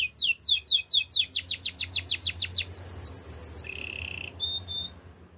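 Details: Canary song used for training: a series of about twenty loud sweeping chirps delivered in rhythm, then a short low buzzy trill and a few faint high notes fading out.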